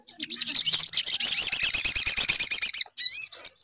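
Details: Sunbird song for luring birds into song: a sustained fast series of high, looping chirps lasting over two seconds, followed after a pause by a couple of sliding whistled notes.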